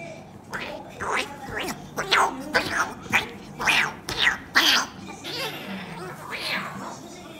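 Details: Pet cockatoo, described as mad, in a playful battle with a person on a sofa at home; harsh, raspy screeches about once a second, uneven in spacing and loudness, fading into softer squawks toward the end.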